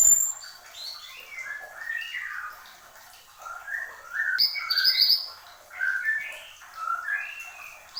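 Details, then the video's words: Horsfield's babbler singing hard: a varied string of slurred whistled notes, mostly mid-pitched and rising or falling, with one brief shrill trill in the middle. "SUARA BURUNG MANTENAN GUNUNG GACOR"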